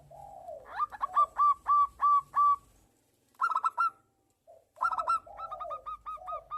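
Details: Local zebra dove, a male in breeding condition, singing steadily in a back-and-forth exchange with a female: a soft low coo opens, then a run of six clear, evenly spaced staccato notes, a short burst after a pause, and another burst mixed with low coos.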